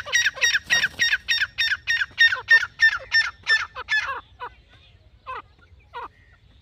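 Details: Grey francolin calling, female and male: a fast series of loud, harsh, ringing notes repeated about three times a second for four seconds, then slowing to a few softer separate notes, with low background rumble.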